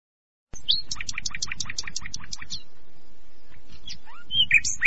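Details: Common nightingale singing over a steady low hum: a rapid string of bright, slurred high notes about five per second, then a pause and a few whistled, swooping phrases.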